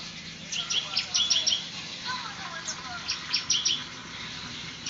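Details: Bar-winged prinia (ciblek) singing actively in semi-ngebrem style: two bursts of sharp, high, rapid chirps about two seconds apart, each lasting under a second, over a faint steady background hum.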